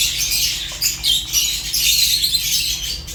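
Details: African lovebirds including Fischer's lovebird give a steady stream of sharp, high, buzzy chirps, packed closely with no pauses, over a faint low hum.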